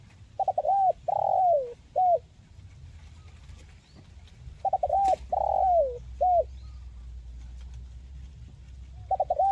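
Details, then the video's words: Spotted dove in a clear 'mersik' voice, used to get quiet birds singing. Its coo phrase comes about every four seconds: clipped notes, a long falling coo, then a short final coo. A third phrase begins at the end. "SUARA BURUNG TEKUKUR MERSIK"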